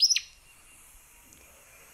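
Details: Acadian Flycatcher, one short explosive song phrase: sharp high notes that snap downward in the first quarter second, then quiet background hiss for the rest.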